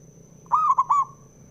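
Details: One short, loud, quavering phrase of three linked cooing notes from a local male zebra dove, used to provoke other doves into singing, with a faint steady high tone behind.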